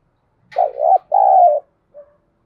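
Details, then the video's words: Single dawn phrase from a spotted dove in the urging calling style used to draw coos from newly caught birds: a low, hollow dipping double note, a longer level coo that drops at the end, then a faint short coo. "Tiếng chim cu gáy thúc gù và gáy gọi lúc tờ mờ sáng"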